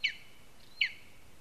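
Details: Lesser spotted eagle at its nest in a spruce tree in Zemgale, Latvia: two short high yelping notes a little under a second apart, each sliding slightly downward, over quiet background.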